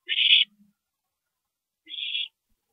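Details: Owl at a nest at 2:40 AM, April 22, 2012, with a parent visiting: two harsh, hissy screeches about 1.7 seconds apart, the second somewhat softer and smoother.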